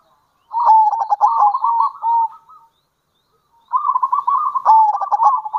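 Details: A local zebra dove, in kerot and bekur styles used as a lure, gives two long stuttering phrases of rapid rattling coos. Each phrase runs about two seconds, with a quiet gap between them.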